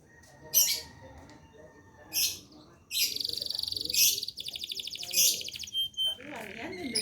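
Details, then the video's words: Caged domestic canary performing a master song meant to teach other birds: sharp chirps, then rapid rattling trills and buzzy rolls in quick succession, a brief pure whistle and varied twitters at the end. "Kenari gacor ngerol nembak mantap."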